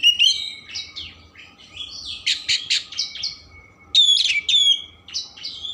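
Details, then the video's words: Oriental magpie-robin with a rich varied song meant to excite other birds into opening their tails: strong descending whistles, buzzy rattles and loud clear downslurred notes in quick sequence over a faint hum. "Kacer Gacor Isian Mewah Merangsang/Perangsang Emosi Buka Ekor"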